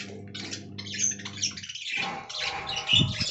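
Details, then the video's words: Aviary colony of budgerigars chattering, with bursts of rapid high chirps and rasping notes, a brief lull midway, then louder warbling and a soft thump near the end over a constant low hum. "Budgie Talking Compilation"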